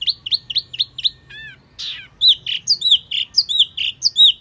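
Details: Wambi mini calling as a lure: quick hooked chirps, a brief rising whistled trill, then loud arched, bouncing notes given in an uneven series.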